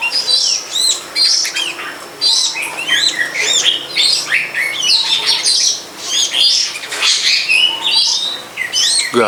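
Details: A wild long-tailed shrike behind a house near a longan orchard delivers a dense, varied, scratchy song. Harsh arched notes and chattering fragments follow almost without pause, with a low rumble at the end.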